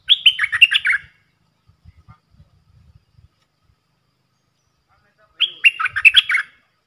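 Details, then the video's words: Red-whiskered bulbul decoy singing to train young birds and attract wild ones: two bright rapid warbled phrases of about eight notes each, separated by several seconds of quiet with faint low thumps between. "เสียงนกดอกแตงEp.125นกต่อจ้าวขันเงิน 3หลักสับดอกรัวๆ ใช้หัดลูกเสอ/ต่อนกป่า"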